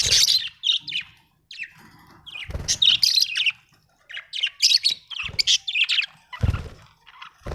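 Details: Australian budgie in squawky chirping bursts and warbles with short pauses, accompanied by several dull knocks or thumps.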